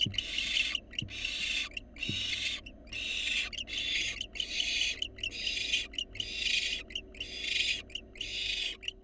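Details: Wild barn owl fledgling in a monitored nest box, begging as an adult delivers a rat: a rapid series of harsh, broadband hissing screeches, about ten bursts in nine seconds, with a few faint clicks and knocks below.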